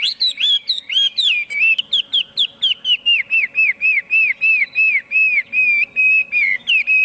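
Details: Chinese hwamei delivers a steady series of rich whistled notes, each bending up and down, repeated three to four times per second with little variation.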